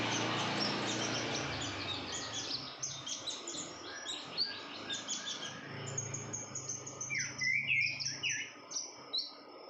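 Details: A breeding-condition female red-whiskered bulbul chatters with high, clipped chirps in a steady run, ending in a louder burst of sharp slurred notes; low hum underneath.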